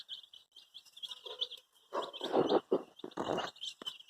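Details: Chorus of baby chickens, dyed in many colours, searching for their mother, keeps up shrill rapid peeps throughout while louder rustling and scraping bursts fill the middle.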